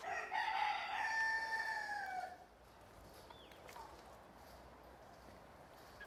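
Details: Farmyard chicken, a rooster, finishing a loud crow in the opening two seconds, a strained, level, harmonic call that fades abruptly, followed by quiet low rumble and a few faint high chirps.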